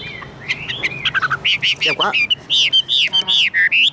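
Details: Tame caged Chinese hwamei sings loud rich whistles, a run of repeated arched notes about three per second after an opening of mixed chirps, with a lower rattling phrase midway.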